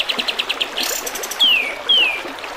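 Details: Training song of the kapas tembak bulbul over trickling water. A run of evenly spaced short chirps opens, then two loud, clean downward-slurred whistles follow about half a second apart, with a constant brook murmur behind.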